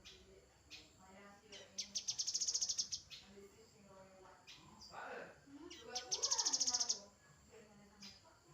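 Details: Grey-headed canary-flycatcher song with two loud, high rattling trills of quickly repeated notes about four seconds apart, softer twittering between them.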